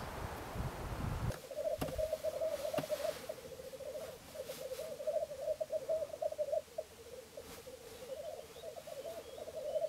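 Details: Three black grouse cocks displaying at a lek in Florarna, heard from a hide early on the morning of 17 April 2013: after a brief loud rustle, a steady low bubbling, cooing rookoo runs on without a break.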